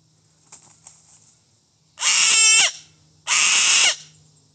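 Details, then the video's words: Yellow-crested cockatoo in a garden giving two harsh, very loud, raspy screeches about a second apart, with faint clicks before them and a low steady hum behind. "yellow crested cockatoo. loud but beautiful"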